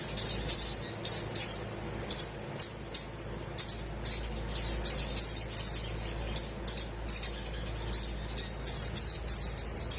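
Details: Little spiderhunter (sogok ontong) in vigorous song, a lure for birds that will not sing: high, sharp chips about three a second, with a brief thin whistled note between the chip bursts.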